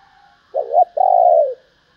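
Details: Female spotted dove giving a call to stimulate males: a quick rising double coo, then a long, even, gently throbbing coo that sinks at its close.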